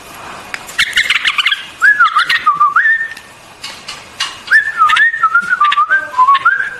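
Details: White-eared bulbul song: scratchy chatter followed by liquid, warbling whistled phrases that dip and rise, delivered in two bouts with a brief pause between.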